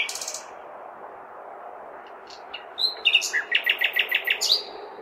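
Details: Common nightingale singing on a May night in a large city: a sharp burst, a pause, then whistles leading into a fast run of repeated clipped notes, over a steady low hum of urban background noise.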